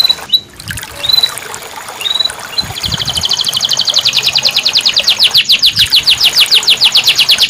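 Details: Canary song played to prompt a non-singing caged canary: a few short rising whistles, then a long, steady, rapidly pulsing trill building in loudness over about five seconds.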